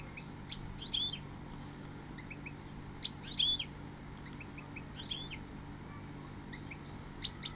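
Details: Goldfinch with short, bright twittered phrases of quick slurred notes, repeated roughly every two seconds over a constant low mechanical hum.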